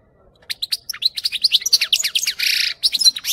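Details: European goldfinch song for training young birds: a rapid, continuous string of bright chirps and twitters with a harsh buzzy note in the middle.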